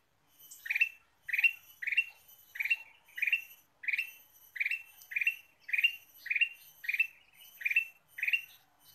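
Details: Lure recording of a ruby-throated bulbul: about fifteen bright chattering phrases run steadily, close to two per second, each a short burst of clipped notes, in an otherwise quiet background.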